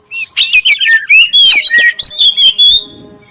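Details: Black-breasted oriental magpie-robin pouring out a clear prompting song for other magpie-robins: fast, loud sequence of pure slurred whistles and chirps, ending abruptly into quiet.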